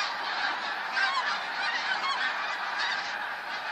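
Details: Huge flock of snow geese recorded on 28 February 2013, a dense continuous roar of overlapping nasal honks and yelps from countless birds calling at once, with no pauses.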